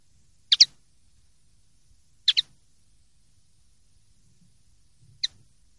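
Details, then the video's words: Common linnet, clean-style song recording from a 2023/2024 collection: soft, high, sharp double chips, twice within two seconds and then a single note, with faint low rumble underneath. "CD PARDILLO LIMPIO 2023/2024"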